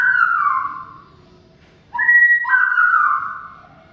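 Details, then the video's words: Greater green leafbird song used to prompt a bird that has stopped singing: a long, smooth, steady whistle that fades, a short gap, then a loud two-toned whistled phrase sliding gently downward. "Suara Kicau CUCAK IJO Gacor Panjang Khusus Untuk Cucak IJO Yang mogok NGOCEH"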